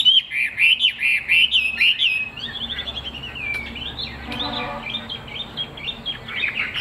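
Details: Caged Chinese hwamei with a fig-leaf tail pours out quick, looping whistled notes at first, then softer, slower slurred phrases. A brief low rumble is heard midway.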